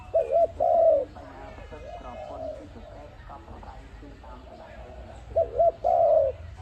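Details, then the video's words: ARIMIX dove, recorded for use as a trapping lure, giving two coo phrases, each two short looping notes then a longer, falling drawn-out coo. Faint background chatter and bird chirps between the phrases. "Sound of ARIMIX dove quality sound to use for trap"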